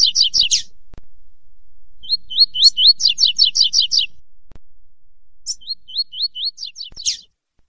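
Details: Song of a yellow-bellied seedeater (coleiro baiano): rapid buzzy downslurred notes, then a string of looping whistled notes and another fast buzzy series. After a pause come a sharp high chip, more looping whistles and a final burst. No other sounds.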